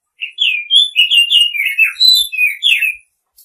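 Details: Continuous warbling song of a white-rumped shama, with slurred, overlapping whistles rising and falling in a rich, varied phrase lasting nearly three seconds, plus high thin notes above; a soft brief click near the middle.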